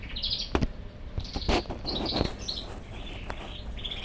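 A cockatiel sings a string of short, bright whistles broken by a few sharp clicks.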